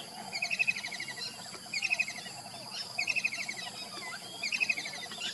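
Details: A kingfisher calling in the morning: four quick, slightly descending rattles of clipped high notes, each under half a second, separated by short pauses, with soft insect noise and distant chirps behind.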